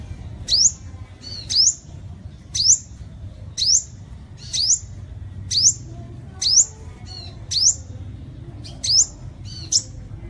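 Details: Sunbird song used as a lure to draw birds: single sharp, high upslurred whistles spaced about one second apart, each brief and bright, with a soft low hum underneath.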